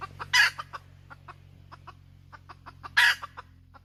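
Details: A hen cackles in two loud harsh squawks about two and a half seconds apart, with scattered single clucks between them over a constant low mechanical hum.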